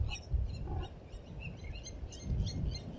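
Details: Nest-defending blacksmith lapwings at Djuma Private Game Reserve give rapid ringing metallic alarm notes, overlapping and insistent, above strong low-frequency rumble and wind-like noise.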